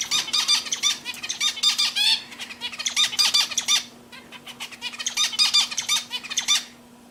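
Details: Pet zebra finches singing in long runs of fast, nasal, buzzy syllables, about two to three notes a second, broken by a brief pause near four seconds, over a low constant hum.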